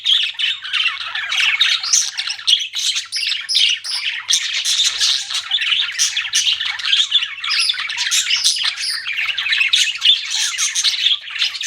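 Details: A long run of pet budgies chattering, with harsh squawks and quick tweets overlapping in a dense, steady babble without pauses.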